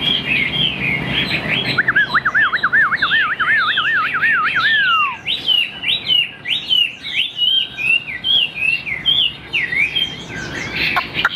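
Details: A fully tamed Chinese hwamei, wing-displaying and hugging its cage, sings loudly: a fast rolling trill of rising-and-falling notes, then varied clear whistled phrases. A man's voice and laughter are briefly heard.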